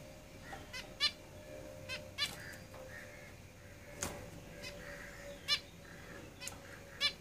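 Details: Zebra finches in a cage sound clipped, nasal beeps in singles and pairs, with a sharp knock around four seconds and a constant faint hum in the background.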